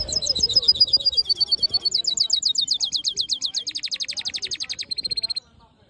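A hooded siskin mule sings fast, high, twittering trills that shift through several buzzy and chattering phrases, about four notes a second. A faint low voice murmurs at the start.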